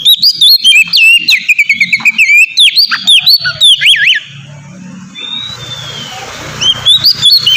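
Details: Kacer, the oriental magpie-robin, in loud rich song meant to coax captive birds into singing: rapid varied whistles, trills and slurred notes for four seconds, then a quieter stretch with faint whistles and low hum before singing resumes.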